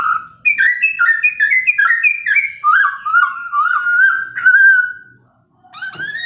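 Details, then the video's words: A Chinese hwamei sings in the morning to goad other birds into responding: a rising ladder of quick whistled notes, then a long warbling, wavering passage, a short silence, and a fresh upward whistle. "POKSAY HONGKONG kicau pagi hari buat EMOSI burung lain cocok untuk PANCINGAN"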